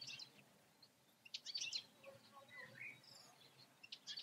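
European goldfinch giving quick, tinkling twitters in short bursts, high and bright, with a few lower liquid notes between; soft outdoor background.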